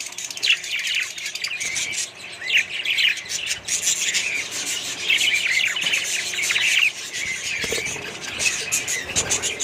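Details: Colony of budgerigars and other birds chattering steadily with high twittering and squawks, plus a few scratchy rasping noises and soft knocks near the end.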